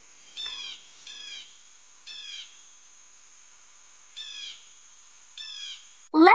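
A blue jay gives five harsh, nasal calls, each about a third of a second and spaced unevenly. A person's voice breaks in at the end.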